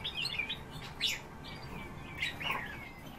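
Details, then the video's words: Eurasian bullfinches kept by the recordist, filmed from about ten centimetres away; soft, piping whistled notes, several gliding downward, scattered through the clip over a low background hum. "Pyrrhula pyrrhula- СНЕГИРИ"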